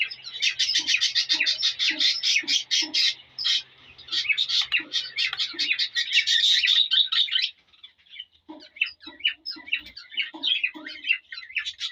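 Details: Cockatiel male whistling to a hen to stimulate breeding; quick rows of bright chirps, with lower regular pulses beneath early on, a short pause near seven seconds, then scattered chirping resumes.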